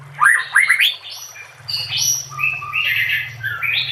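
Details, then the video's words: Training compilation featuring White-rumped shama song: rapid rising whistled notes, then softer, drawn-out whistles and warbles heard over a steady low hum throughout. "MASTERAN SPESIAL TAHUN INI AUDIO JERNIH KOMPILASI MEWAH UNTUK SEMUA JENIS BURUNG MURAI BATU"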